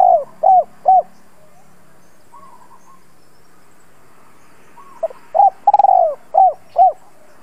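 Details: Spotted dove calling to lure wild birds: two arched coos, a pause with faint distant cooing, then a short note, a stuttered long coo and two more rounded coos.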